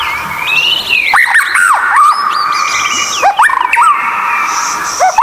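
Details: White-rumped shama song used as a training recording for captive birds that are reluctant to sing: loud whistled phrases with rising and falling slurs, sustained tones and sharp swoops, sung steadily throughout.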